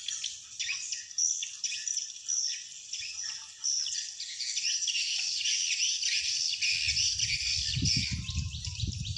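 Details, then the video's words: A dense chorus of high, buzzy swiftlet chirps and twitters overlaps without pause, a lure sound for attracting wild swiftlets to a swiftlet house; a low rumble joins near the end. "Sound attracting Swiftlets from the wild easily"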